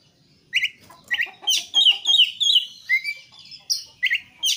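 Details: Oriental magpie-robin (kacer) singing vigorously ('gacor'), a recording meant to prompt other kacer to sing: sharp clear whistles near the start, then a rapid run of varied chirps and slurred notes, with loud bursts spaced irregularly.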